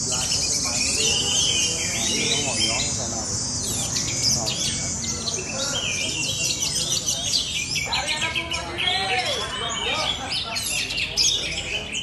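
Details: Competition orange-headed thrush in long, dense, continuous song: rapid jumbled whistles, sharp chips and downslurred notes tumbling together, with brief trilled bursts and background human speech.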